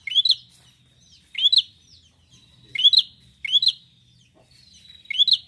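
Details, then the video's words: Bar-winged prinia song used to trigger singing in other prinias: five clear bursts of rapid upward-swept chirps, each a tight doublet, separated by about a second of quiet. "prenjak gacor ini mampu membuat burung prenjak anda jadi bunyi"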